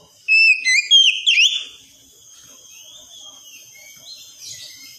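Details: Oriental magpie-robin wikplong-style song used as therapy for a young untrained bird: about a second of loud, bright whistled phrases with swooping, looping notes, then only faint high hiss and distant chirps.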